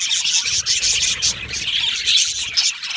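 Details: Yellow male budgerigars kept in an aviary produce a thick wash of shrill chirps and grating warbled notes, several voices overlapping throughout.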